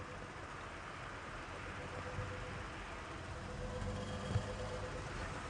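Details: A steady, low engine rumble from an idling vehicle on an evening safari drive, with no animal voices.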